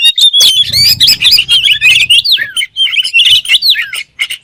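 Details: Oriental magpie-robin in dense, rapid song: a continuous run of twisting whistled notes and sharp chirps, some dropping steeply, over a faint low hum.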